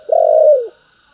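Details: One drawn-out mellow coo from a spotted dove singing in the 'thúc' and 'gáy gọi' styles, level, then sliding downward at the end, with a faint steady high tone in the background.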